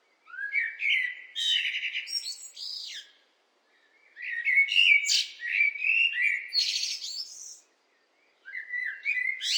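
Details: Warbling blackbird song: three long phrases of low, rounded whistles, each closing with a burst of high, squeaky, rapid notes. Short quiet gaps separate the phrases, and nothing else is heard.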